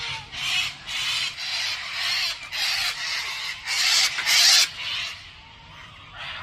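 A cockatoo gives harsh, raspy screeches in rapid bursts, roughly one or two per second, some louder and grating, with short pauses between runs.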